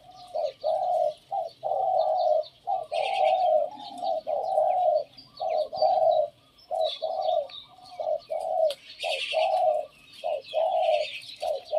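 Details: Decoy spotted dove of the Thep Phanom type cooing in a phrase its keeper judged not pretty: mellow, mid-pitched coos in rapid, evenly broken bursts, with higher chirps from other birds in the background.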